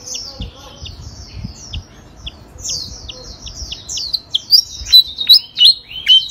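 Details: Continuous songbird chatter from a bird that sings nonstop, a contest bird once placed third: rapid high chirps and sliding whistles, growing louder toward the end with sharp emphatic notes.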